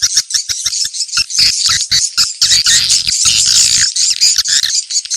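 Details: Swiftlets in a 'ceklok' location-check lure recording from Indonesia, said to draw swiftlets in quickly to gather. Dense, shrill twittering chatter comes in short bursts separated by brief gaps. Faint low rumbling sits underneath.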